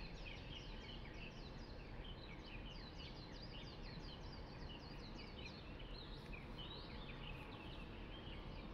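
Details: Many wild birds singing noisily in early morning at a park below a window in Hong Kong; dense overlapping chirps and quick downslurred whistled notes pour out continuously over a steady low rumbling background hiss.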